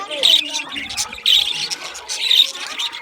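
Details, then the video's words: Aviary budgerigars giving bursts of loud, harsh high chirps roughly once a second, with softer warbling chatter filling the gaps between bursts. "Budgie chirping sound | Budgie parakeet singing | Budgie aviary sound"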